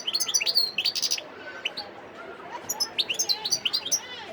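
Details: Wild European goldfinch singing at Sidi Bel Abbes, 17 December 2021. It gives quick, liquid twitters of high, sharply sliding notes in dense bursts, pauses briefly, then delivers another fast chattering phrase.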